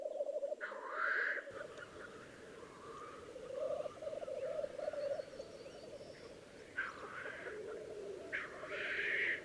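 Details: Black grouse at a spring lek in Läänemaa, Estonia, 19 April 2011: a continuous low bubbling rookoo chorus runs throughout, broken by loud hissing sneezes near the start and again in the final seconds.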